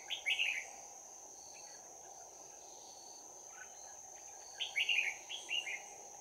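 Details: Trapping of red-whiskered bulbuls, 11 January 2019, with a 'bell voice' fighting song: two rapid clusters of sharp, bubbly whistled notes separated by a pause, against a constant high-pitched insect drone and hiss.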